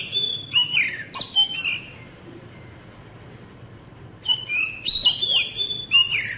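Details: Oriental magpie-robin lure song, played as therapy to get young birds singing, in two bursts of loud whistled phrases with sliding, falling notes and sharp chips, separated by a quiet gap, with a low hum beneath.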